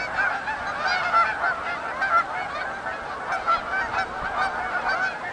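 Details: Canada geese arriving at Oak Hammock Marsh and Fort Whyte, a big flock giving rapid, overlapping honks, roughly one prominent honk each second amid the constant clamor.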